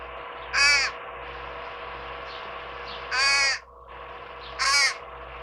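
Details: At a backyard birdbath in July, a fledgling fish crow with its parent gives three short, nasal, slightly wavering begging calls, spaced a couple of seconds apart, over a steady low background hum.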